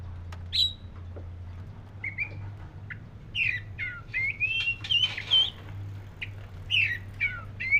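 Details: Oriental magpie-robin of the black-breasted form giving scattered whistled notes, some rising and some falling, in short bursts with pauses between them, against a constant low droning hum.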